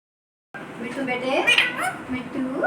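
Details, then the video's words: Pet parrot talking indoors, imitating the word "mummy": a short run of voice-like harmonic syllables that rise and fall. Room hiss sits underneath, with a quiet start before the voice begins. "Mithu talking mummy"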